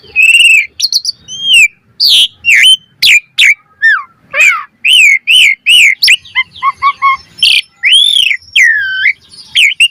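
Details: Jalak suren (Asian pied starling) full-variation lure song: loud looping whistles, sharp chirps, a short run of stepped low notes and arching squeals, packed tightly with brief pauses.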